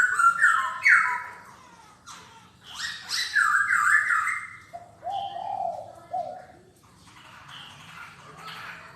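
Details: Black-throated laughingthrush song: quick, bright whistled slurs at the start, then loud descending phrases, a few lower mellow notes, and fading softer chatter toward the end.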